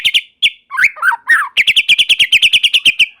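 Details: Short burst of white-rumped shama song meant to draw other shamas into singing: a few sharp notes and swooping whistles, then a fast run of about fifteen evenly spaced, chattering pulses.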